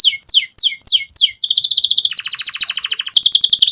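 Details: Energetic canary song played as a lure for young canaries learning to sing: four quick descending sweeps, then a fast buzzy rattling trill that drops lower in pitch and rises again at the end.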